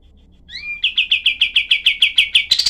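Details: Kapas tembak, the cream-vented bulbul, in dense, sharp tutor material: a rising whistled note, then about ten harsh chirps in quick, even succession, ending in a louder scratchy flourish.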